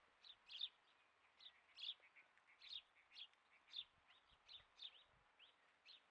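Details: A captive two-year-old female satyr tragopan with her chicks: thin, high peeping notes repeated about twice a second, with a few soft low thumps beneath.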